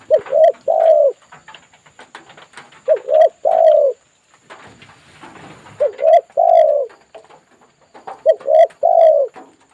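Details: Spotted dove eagerly responding to a lure bird's voice, as used in bird trapping; loud mellow coos in four groups, each two short rising notes then a longer falling one, about every two to three seconds.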